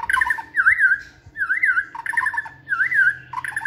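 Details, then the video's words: White-rumped shama in training inside a flight cage: a loud, fluid phrase of rich, looping whistles, given several times in quick succession. "Giọng chòe lửa hót rực rỡ đầy năng lượng"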